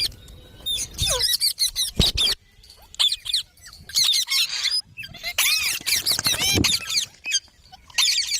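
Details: Parrot making rapid high, squeaky chatter in bursts, with scratchy trills and short curved whistles separated by brief pauses.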